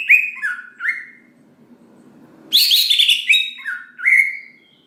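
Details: Greater green leafbird song meant to provoke other leafbirds to sing: short slurred whistles, a pause with faint low rumble, then a loud rich burst of buzzy, rising and falling whistled notes.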